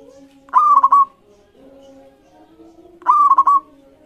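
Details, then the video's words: Two identical cooing phrases from a local zebra dove, about two and a half seconds apart. Each is a short note with rapid rolling beats. The song serves as a lure to prompt rival doves to sing, with a faint hum behind it. "Masteran Perkutut Lokal Gacor Iramanya Mengundang Lawan Bunyi"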